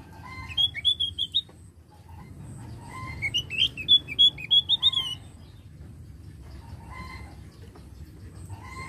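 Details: Javan grey-throated white-eye in full song, used as a lure to prompt other birds to sing, giving bursts of high, sweet warbled notes in quick runs of about five to eight, with pauses between bursts over a low rumble.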